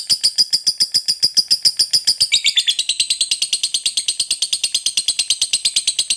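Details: Lovebird delivering a long ngekek song used to coax other birds into singing; regular high, buzzy pulses that quicken and slide lower in pitch after two seconds.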